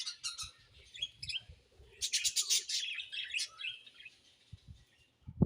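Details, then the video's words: Pet budgies chirp in quick, sharp squeaks at first, then break into a loud, dense stretch of warbling chatter that fades, ending with a faint low knock. "Beautiful Budgies Chirping Sounds"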